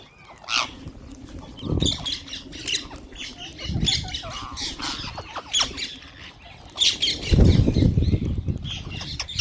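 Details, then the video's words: Wild green parrots squawking while being fed, with repeated raspy screeches from several birds over steady background chatter, punctuated by heavy thuds and rustles. "Wild Green Parrots Making Beautiful Noises"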